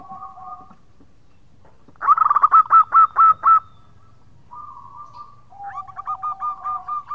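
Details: Local zebra dove calling to companions with a khong-style song: a quiet cooing phrase, then a loud run of about eight clipped, rapid notes, followed by softer rolling coos.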